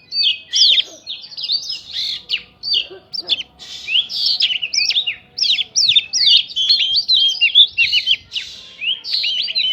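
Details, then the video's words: Oriental magpie-robin lure song rich in prinia mimicry, used to get other birds answering fast: an unbroken flurry of high whistles, sharp chirps and slurred notes, about two to three per second. "PANCINGAN KACER BIKIN EMOSI ISIAN PRINJAK BIKIN BURUNG LAIN CEPAT RESPON GACOR"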